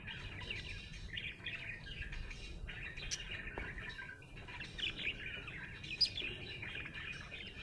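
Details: A happy budgerigar warbling on and on, stringing together squeaky chirps, soft trills and short rising whistles in a continuous chattering flow, with a quiet low hum underneath.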